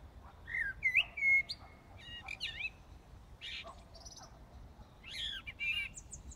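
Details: Blackbird in Brussels, Belgium, before dawn on 15 January 2018, giving a varied song of fluty whistles mixed with sharp, squeaky high twitters, phrases close together.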